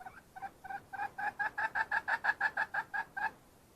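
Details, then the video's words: Cackling of a wild red junglefowl hen: a few spaced clucks that speed into a dense, regular run of sharp two-note notes, about three per second, then silence. "Suab poj qaib qus seev zoo kaw.. Tiến gà rừng"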